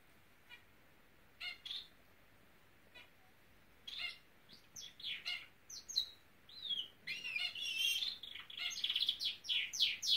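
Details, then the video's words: Norwich canary starting to sing: a few soft, scattered chirps in a quiet room, building after several seconds into a rapid, dense stream of high twittering and trilled notes. "Nowrich Canary singing!"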